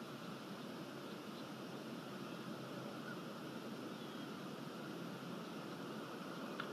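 Steady broadband hiss and outdoor noise with no clear animal sound.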